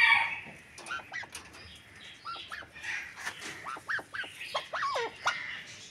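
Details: Several Arabian partridges (kept birds) give loud, rising-and-falling chuckling calls in quick series, overlapping, with clucking and some background noise.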